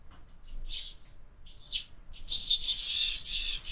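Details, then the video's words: Busy sparrows at a window feeder in the morning, a few scattered chirps giving way after two seconds to a continuous, rapid chattering chorus. "Воробьи в кормушке - утро всегда бойкое"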